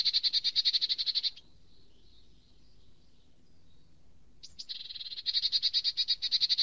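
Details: Eurasian nuthatch producing two bursts of rapid, high piping trill, separated by roughly three seconds of near silence with a faint thin call; the second burst starts hesitantly, then settles into a loud, steady rattle.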